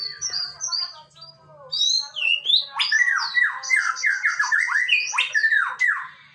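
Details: Male white-rumped shama singing: clear whistled phrases, some sliding down, then a rapid rich sequence of rolling warbled notes, with a faint low hum early on.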